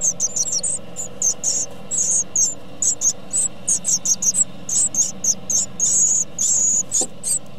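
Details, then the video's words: Great tit nestlings beg while being fed by their parents, in a near-continuous chorus of very high, thin, hissing calls in quick bursts, with a faint low hum underneath. "Karmienie sikorek 45 PARUS MAJOR"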